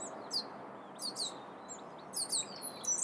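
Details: Wild turkey chicks in the Sierra foothills of California, USA, giving thin, high, downslurred peeps in short clusters, spaced about a second apart over a steady soft background hiss.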